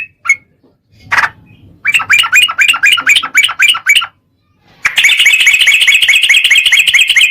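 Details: Yellow-vented bulbul song used as a lure to provoke other birds into singing: two short sharp notes, then a fast run of bright chattering notes, a pause, and a long, dense, rapid rattling chatter.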